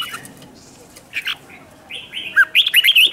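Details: Red-whiskered bulbul fighting song played to provoke other birds. Soft scattered whistles under steady background hiss give way to a loud, fast run of looping whistled notes at the close.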